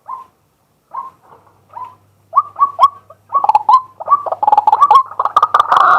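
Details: Male white-breasted waterhen calling during the day, live camera recording: sparse soft croaks at first, quickening into rapid repeated notes and building to a loud, continuous, harsh outburst.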